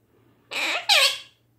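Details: A female pet Quaker parrot chatters indoors, giving a short, squeaky, two-part call whose high, bright notes bend downward, lasting under a second, in a quiet room.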